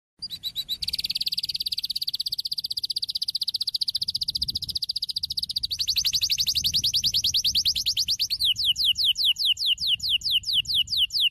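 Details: Brown Norwich canary singing long, fast high trills of repeated notes, shifting to a slower series of sweeping downslurred notes near the end.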